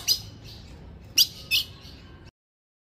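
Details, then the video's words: Female ultramarine grosbeak giving three sharp, high chip notes, one alone then two close together about a second later, over faint hiss; used to excite a male ultramarine grosbeak. "Piado de FÊMEA pra FOGUEAR seu azulão"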